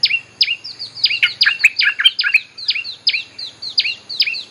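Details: Steady stream of quick downslurred whistles from a bulbul, repeated more than twice a second, played to call wild birds.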